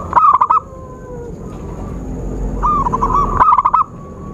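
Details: Zebra dove call used as a trapping lure: a quick stuttering coo burst at the start, then a longer run of rolling coos ending in another rapid cluster, over a low rumble.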